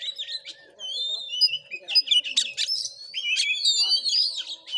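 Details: Oriental magpie-robin in fighting mood, recorded during a vocal test at a house in Padang Gading village, Sungai Rumbai, Muko Muko, Bengkulu, Indonesia; rich, fast song of varied whistles, sliding notes and sharp chips, with a steady low electrical hum beneath.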